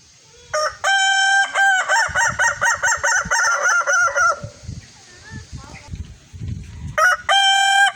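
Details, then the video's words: Kukuak balenggek crowing chicken, a red rooster, calling in the evening: a drawn-out harmonic note breaks into a long run of quick, yodelling stepped syllables, then a pause with faint clucks before a fresh crow begins. "ayam kukuak balenggek"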